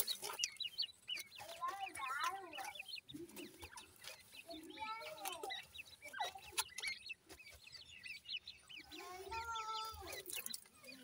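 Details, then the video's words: Young grey francolins, gora teetar, cheep in scattered clusters of quick thin notes, with pattering and scratching sounds and a few clicks between the calls. "pheasant bird chicks sound,gora teetar chicks ki Awaaz"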